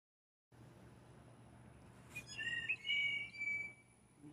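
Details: A blue jay gives its mating call, a quick run of clear, squeaky whistles, some sliding up in pitch, over about a second and a half against a low steady hum, as several jays compete for a female.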